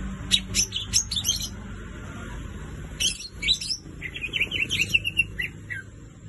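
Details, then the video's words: Greater green leafbird (cucak ijo) singing melodiously and persistently: bursts of sharp, varied chattering notes near the start and again at three seconds, then a rapid rolling warble over a steady low background rumble. "cucak ijo suara merdu gacor"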